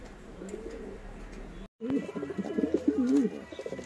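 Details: Pigeon at the start of the first pigeon race of 2021: after a short break, a loud, throaty, wavering coo rolls on in quick pulses, over a quieter earlier stretch of softer cooing.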